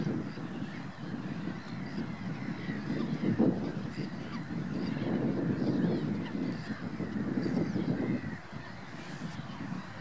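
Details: Common pochard (Aythya ferina): low, hoarse honking and grating calls run together in a dense murmur, rising and falling over about ten seconds against a steady low rumble of wind.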